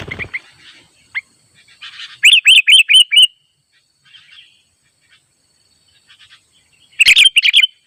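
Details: Sooty-headed bulbul in the wild, calling to rivals by a simple trap among gathering birds: a run of five ringing, hooked whistles in quick succession, quiet twitters between, then a second loud burst near the end.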